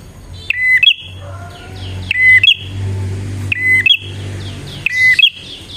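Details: Bar-winged prinia singing in full voice, used as a lure for wild prinias: four phrases, each a flat whistled note sliding into a higher drawn-out buzzy tail, about every one and a half seconds, with faint descending notes from other birds between.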